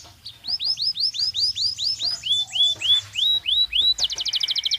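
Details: Belgian canary in song for daily training: a string of arched rising whistles, slowing toward the end, followed by a fast high rattling trill.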